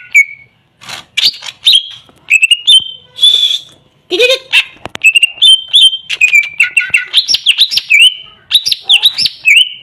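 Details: Greater green leafbird with short whistled notes and scratchy bursts early, building into a faster run of looping, rising and falling chirps.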